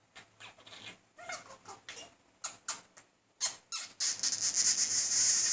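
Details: Pet male budgerigar courting a female with persistent chatter; quick clicks and scratchy warbled notes in short bursts, building into a loud, continuous buzzy high chatter over the final second and a half.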